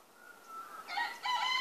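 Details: Rooster kept apart from the hens, crowing as it does each day when going to visit them; a faint rising start followed by two loud harmonic bursts near the end.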